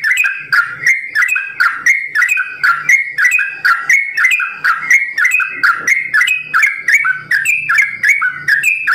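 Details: Sooty-headed bulbul kept in captivity, pouring out a long ropel song in simbar jati style: nonstop bursts of liquid whistled notes, around one phrase per second, alternating higher and lower pitches, loud and close.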